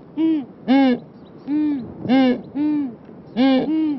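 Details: Southern ground hornbill booming: deep hollow hoots, arched in pitch, delivered in uneven pairs and triplets, each about a quarter second, with near-silent gaps between.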